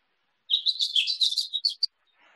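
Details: House finch, one of several males near a backyard by a marsh in nesting season, sings a quick, jumbled warble of high twittering notes lasting over a second, ending in two sharp chips; a faint rustle follows.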